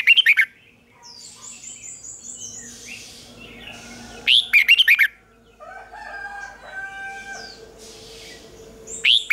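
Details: Red-whiskered bulbul (Pycnonotus jocosus) sings morning song in short bursts of loud, bright whistled phrases with softer chatter between; the song is used to train and provoke bulbuls into competitive singing.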